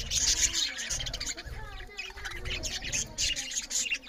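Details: Loud chirping from budgerigars while eating, with rapid high twitters and short squeaky notes that pile up in quick succession, plus a low rumbling underneath.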